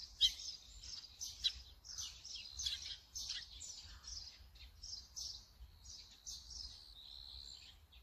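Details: Brown-eared bulbul on a Sony camera with a 200-600mm lens, producing rapid high chirps and squeaks, strongest at the start, fading into a softer level whistle toward the end.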